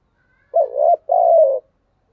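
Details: Spotted dove in the 'thúc gù' cooing style: two low, soft coos, the first wavering and broken, the second smooth and drawn out before fading, with no other sounds.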